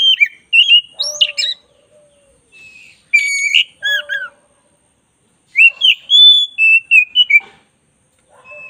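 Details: Oriental magpie-robin of the black-breasted type in full, energetic song for tutoring. Sharp whistled notes and rapid twisting phrases come in three bursts separated by pauses, with soft low whistles between them.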